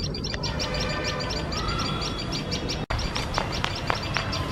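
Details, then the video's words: Alarmed tailorbird pair near their nest with a male cat sitting very close: a fast, even series of piercing high chips, roughly four each second, against a low rumbling background, with a brief click midway. "Tailor Birds Makes Shrill Noise"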